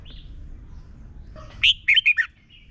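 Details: Red-whiskered bulbul giving one short phrase of four bright whistled notes dropping in pitch, preceded by a soft lower note, in a quiet setting; played for young birds to copy.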